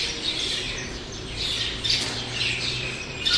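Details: Several kinds of birds, sparrows among them, by a roadside: dense high chirps and squawky notes overlap in quick bursts, with a slight swell near the end over a faint low hum.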